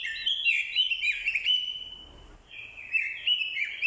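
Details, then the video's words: Orange-headed thrush kept as a decoy bird singing fighting song, roused by a female's call. Loud, rapidly varied warbling in sliding, chattering notes, a brief lull, then the fast phrases resume. "Chim Quế lâm mồi, hót đấu cực hay. kèm tiếng quế lâm mái, kích trống hót đấu hay."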